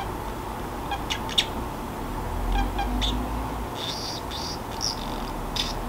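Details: Pet Pacific parrotlet, kept free-roaming indoors, muttering to itself as it grows sleepy in a quiet room: scattered soft, short chirpy notes and clicks with long gaps, over a low steady hum.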